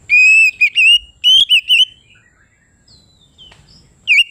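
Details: Oriental magpie-robin singing loudly in the ngeplong style, used to provoke rivals: clear whistled phrases with rising and falling notes in rapid bursts over the first two seconds, a near-quiet gap with faint twitters, then a fresh whistled burst.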